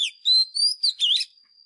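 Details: Oriental magpie-robin lure bird, fighting song for training caged birds: a short string of four bright whistled slurs, rising then dropping, over a faint continuous high tone.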